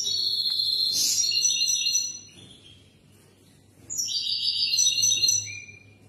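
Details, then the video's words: European goldfinch singing for young birds to learn from; bright, liquid twittering phrases with high tinkling notes and rapid trills, two bursts separated by a short quiet pause, with a faint low hum underneath. "تغريد الحسون (مقنين) مشاء الله"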